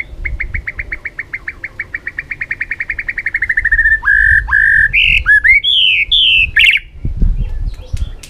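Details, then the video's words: White-rumped shama singing many forest voices as a training song: a fast run of short whistled notes near one pitch, repeated about twice a second, then longer clear whistles that step up and down in varied phrases. "chòe lửa hót nhiều giọng rừng"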